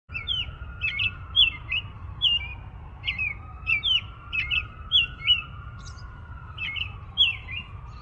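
American robin singing a quick run of short, slurred whistled notes, two or three a second, over a faint steady mechanical hum and low rumble.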